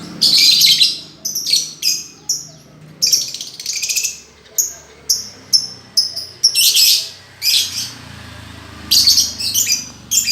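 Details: Lovebird master song for retraining a bird that went quiet: sustained run of shrill chattering phrases and sharp high chirps, nearly continuous with brief gaps, some bursts long and buzzy.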